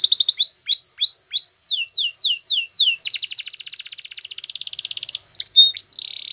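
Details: Belgian canary song for training: rising whistled notes repeated about twice a second, falling sweeps, a long fast rolled trill, and a closing buzzy tone.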